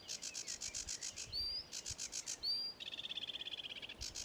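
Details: Sedge warbler singing at Ilmatsalu on 26 May 2017: fast runs of dry, rasping chirps, two clear rising whistles slotted between them, then a long buzzy trill on one pitch, all loud and close against a quiet background.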